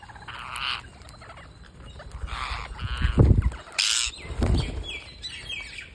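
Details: Parakeet being fed, giving harsh, noisy rasping calls in short bursts, with loud low thumps and handling knocks, plus a sharp broadband burst near the middle.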